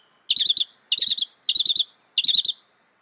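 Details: Four identical, quick warbled phrases from a Northern mockingbird, each a tight cluster of bright notes lasting under half a second, repeated about every 0.6 seconds.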